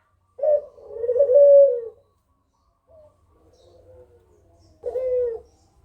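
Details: Kugeruk calling, played as a lure so other birds reply: one long low throaty coo, a faint softer call after a pause, then a short closing coo.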